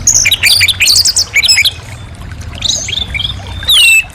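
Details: Orange-headed thrush song: bursts of quick clear whistled notes, then a short pause and long sliding whistles falling in pitch near the end.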